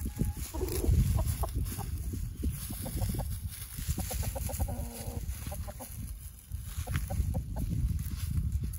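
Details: Easter Egger rooster calling his flock to worms found in a yard leaf pile; quick low clucks come in bursts, some notes drawn out, over loud scratching and rustling in the leaves.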